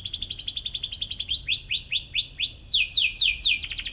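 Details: Atlantic canary's lively rival-seeking chirps, used to train young canaries to sing; a fast rolling trill, then about five slower rising whistled notes, then a quick run of downslurred notes.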